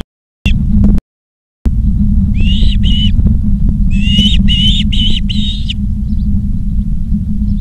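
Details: At a nest camera in Charlo, Montana, 19 August 2023 in the afternoon, an osprey gives a short chirp, then a pair of whistled notes, then four quick ringing whistles, amid steady low background hum.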